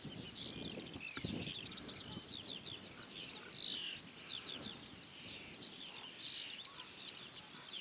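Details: Corn bunting (Emberiza calandra) song, 28 May 2017, Julków, Poland: dry, jangling chirps and scratchy notes repeated without pause, high and metallic, over low wind rumble.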